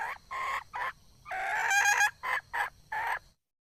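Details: Wild red junglefowl hen calling: a series of loud, harsh, harmonic clucks in short bursts, with one longer drawn-out cackle in the middle, then a few more clipped notes before silence.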